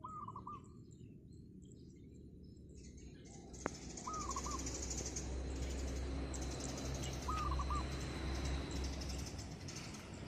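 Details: Wild zebra dove singing vigorously on roof tiles one morning: three rolling, trilled cooing phrases spaced about three seconds apart, over a steady low rumble with a single sharp click.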